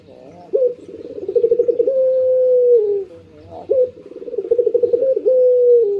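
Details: Pet Barbary dove cooing during the morning: repeated phrases of a brisk rising start, a rhythmic bubbling trill and a steady, slowly falling low drone, spaced roughly three seconds apart.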